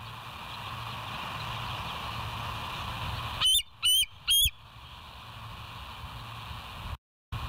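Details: Bald eagle at West End on a live nature cam, 07/09/2023 at 06:24: three loud, high, slightly rising piping notes spaced about half a second apart, set against a steady low hum.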